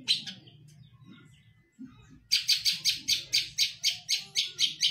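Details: Long-tailed shrike (cendet), a kept Indonesian songbird known for mimicry, after a quiet start bursts into a loud series of harsh high chattering notes repeated about twice per second, with low background hum.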